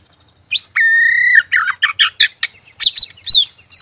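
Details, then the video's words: Oriental magpie-robin song, morning to night: after a brief pause comes a held flat whistle, then a quick series of short bubbling notes and rising, squeaky slurs, high and bright. "Suara burung Kacer pagi siang malam"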